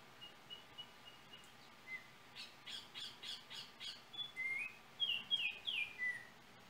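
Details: Yellow oriole in Trinidad, recorded on a cell phone: a run of harsh, rapidly repeated chattering notes, then a few loud, clear whistled notes that slide upward, with steady background hiss.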